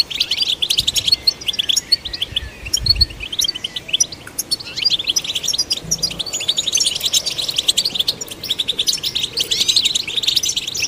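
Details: Stimulation song of a goldfinch: chattering, high twitters in bursts, softer and sparser around four to six seconds, then a busy run of sharp notes and trills toward the close; faint low thumps early on.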